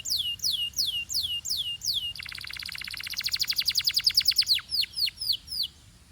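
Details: Belgian canary in full song, heating up quickly: clear descending whistled notes repeated about twice a second, then a rapid dense buzzy trill of many short notes, ending again with spaced downslurred whistles.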